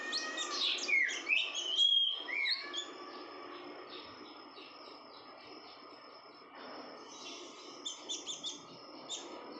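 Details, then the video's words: Female red-whiskered bulbul in breeding condition, calling busily: a burst of loud, sharp, slurred chirps in the first three seconds, then a quieter stretch before faint high twitters return near the end. "burung konin betina birahi gacor"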